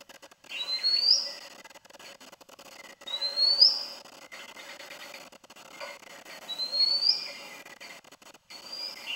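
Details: Oriental magpie-robin singing while perched: a clear, rising whistled note repeated three times at roughly three-second intervals, each preceded by softer warbled notes, over steady background hiss.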